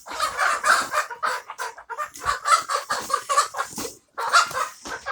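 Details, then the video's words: A hen giving a rapid run of harsh, noisy clucks, several bursts per second in uneven groups with a short pause near the end, nothing else clearly heard. "hen funny sounds"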